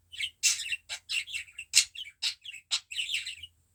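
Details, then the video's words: A pet budgerigar coughs among quick harsh bursts and high chirping notes, about a dozen short sounds packed into under four seconds. "Muhabbet kuşu çimen öksürüyor"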